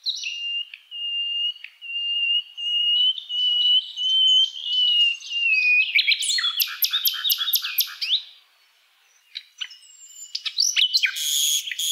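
A common nightingale sings a long, wavering high whistle that swells over several seconds, then breaks into rapid, rich rattling notes and sharp chips after a brief pause.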